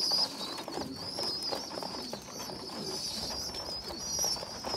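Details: Poorly developed young pigeon feeding well-developed pigeon youngsters; an almost constant, even, high whistled whine with small warbles, plus faint rustling and tapping.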